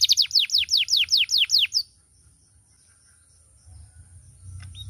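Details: Canary giving a short burst of about eight quick descending whistled notes, followed by near silence with faint background rumble.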